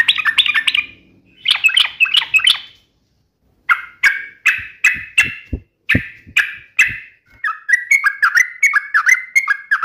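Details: Sooty-headed bulbul in lively uplik, nembak and ropel style: tumbling bubbly phrases, a pause, then loud separate notes repeated about twice a second, ending in a quick run of falling whistles.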